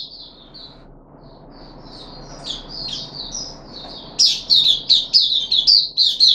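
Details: Caged puff-backed bulbul on its third day after deworming treatment, 14 July 2021; soft slurred whistles give way to loud, clear high whistled notes repeated about every half second.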